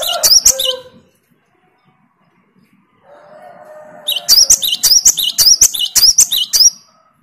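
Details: Answering song of a great tit triggered by a lure of a strong-singing great tit: one short high phrase, silence, a faint hum, then a steady run of about eight sharp, repeated two-note phrases.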